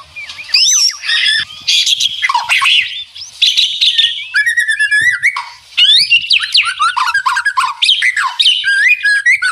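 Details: White-rumped shama singing a fierce rattling song, birds answering each other: dense, continuous torrent of whistles, buzzy chatters and sharp slurred notes, loud and unbroken.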